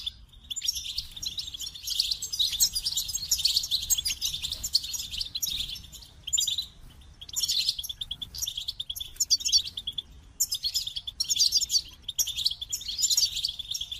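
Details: Goldfinch pouring out phrases of high liquid twittering and buzzy trills, phrases separated by short pauses, repeating throughout.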